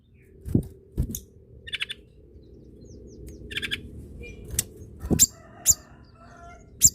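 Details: Hill blue flycatcher in full, energetic song, used to prompt reluctant birds of its kind to sing: brief high chirps and whistled notes between loud low thumps and clicks.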